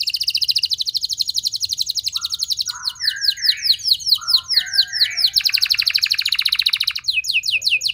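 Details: Canary delivering long, loud song phrases: a rapid buzzy trill gives way to lower warbled notes with high downward sweeps, then another fast trill and a series of clipped descending whistles.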